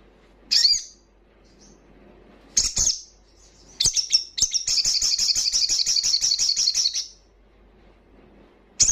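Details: Crimson sunbird giving a loud ngalas song, played to rouse breeding condition and fighting spirit in untrained birds; scattered sharp high chips, then a fast, even, buzzy high trill lasting about two and a half seconds.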